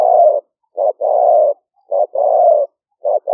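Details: Spotted dove cooing, recorded live as a trapping lure in rice fields during the rainy season in Roi Et, Thailand, on a smartphone. A short coo is followed by a long throaty coo, and the pair repeats in a steady rhythm.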